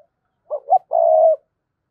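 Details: Spotted dove kept as a lure bird to draw in wild doves, cooing in the gù hai hậu style: two short mellow notes followed by one long, steady, low coo in a quiet setting.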